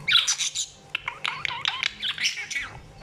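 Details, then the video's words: Talking budgie chattering away in a rapid run of scratchy, buzzy warbles and quick squeaks, notes bunched in clusters with brief pauses between them. "grasparkiet lekker aan het kletsen. talking budgie"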